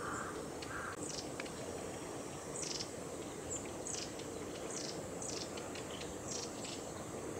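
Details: Juvenile long-tailed tits at Gongenyama Bird Sanctuary on 29 July 2020 give thin, very high, short calls, a few every second or two, over a steady background hiss.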